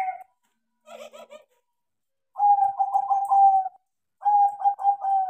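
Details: Crossing-bred zebra dove singing actively after being taught: a soft burst of chirpy notes, then two rolling, bubbling coo phrases of rapid pulsed notes on a steady low pitch, separated by short silences.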